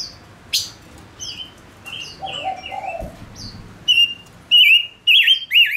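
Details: Male decoy bird kept to lure wild birds sings clear whistled notes, short high downslurs then louder wavering phrases near the end, over a low cooing dove and quiet background.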